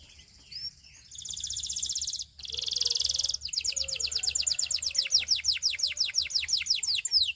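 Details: Belgian canary song used to seduce other canaries: faint thin whistles lead into two loud buzzy rolls, then a long rhythmic series of clear falling notes.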